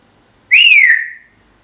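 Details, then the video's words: African grey parrot at home whistling part of Pop Goes the Weasel: a single loud, clean note that jumps up quickly, then glides gently down over about half a second. "The African Grey - Pop Goes The Weasel"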